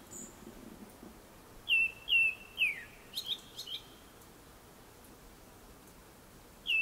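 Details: Japanese thrush singing before sunset: a quick phrase of three clear, falling whistles, then a few higher twittering notes and one final whistle, over faint background hiss.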